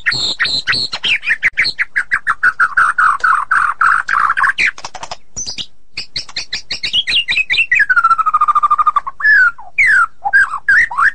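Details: White-rumped shama performing ngeroll, a tight rolling song: long rapid rattling trill of chattering notes lasting several seconds, then rich whistles that swoop down and up between quick chips.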